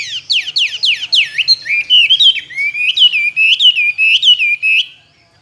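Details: Chinese hwamei, a tame caged bird, two years in the cage and trained for singing contests, delivering a loud whistled song: repeated downward-sweeping notes, then a rapid series of rising and falling slurred whistles, ending abruptly.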